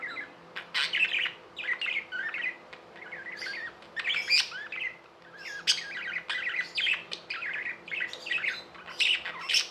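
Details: Tame budgies produce steady warbling chatter, short twittery phrases and scratchy notes coming in clusters every second or two, punctuated by crisp high ticks.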